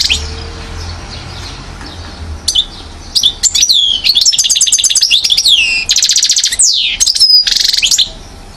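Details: European goldfinch, one year old, Mouzaia, Algeria, 2012: after a few isolated chips, a continuous rush of rapid twittering, buzzy rattles and down-slurred whistles.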